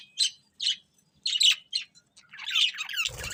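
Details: Happy budgies chirping while they eat. Separate squeaky chirps come about half a second apart, then a longer rolling warble, cut off by a short thump at the end.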